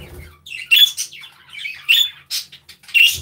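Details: Budgerigars in an aviary giving short bright chirps and warbles, bursts of high squeaky notes roughly once a second with quiet gaps between.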